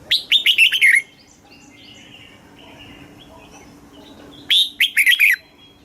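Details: Red-whiskered bulbul singing in Thailand, southern master style, meant to excite caged birds and teach young; a loud warbling phrase of quick descending whistles, faint distant chirps and a low hum, then a second matching phrase.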